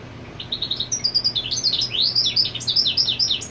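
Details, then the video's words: European goldfinch marking territory with its mate on the nest: begins softly, then swells into quick twittering with arched, rising-and-falling sweeping notes repeated in fast succession. "Jilguero Marcando Territorio con Hembra en el Nido"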